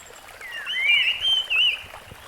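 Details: Rusty-fronted barwing in the wild: a single clear whistled phrase that wavers up and down, rising then sliding in a rippling, slightly trilled line, with faint background hiss.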